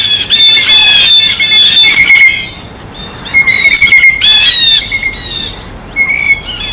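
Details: Blue jays at a feeder, eating: loud harsh squawking calls overlapping in bursts, with steady whistled tonal elements and a noisy outdoor background.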